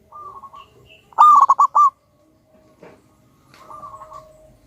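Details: Zebra dove, local wild-type perkutut and a loud, keen lure bird. A soft coo comes first, then a loud run of five quick bubbling notes, then another quieter drawn-out coo later.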